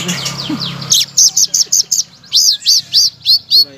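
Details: Blue-crowned laughingthrush singing as a master song meant to trigger other birds to sing: after a noisy start, bright clipped notes follow in quick succession, then loud, rising-and-falling whistles repeated steadily.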